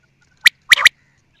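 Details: One short quail phrase: a single sharp note, a brief gap, then two fast bright notes joined by a rough buzz.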